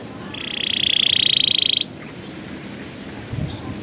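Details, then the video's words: Atlantic canary in a tutoring recording for young birds, delivering a single rapid buzzy roll lasting about one and a half seconds. Faint background hiss follows. "MASTERAN PALING EFEKTIF BURUNG KENARI"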